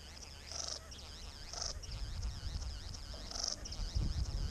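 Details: A male satin bowerbird calls from the bushes at his bower during courtship in eastern Australia: a continuous wavering, churring chatter broken by harsh buzzy bursts every second or two, over a low wind rumble.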